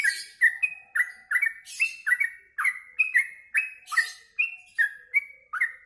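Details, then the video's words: After being fed mealworms, a yellow-vented bulbul gives lively song: steady rows of short warbled notes that rise and drop, about two or three per second, each with a bright high tick, in an otherwise quiet setting. "Habis makan ulat hongkong burung trucuk ini jadi gacor"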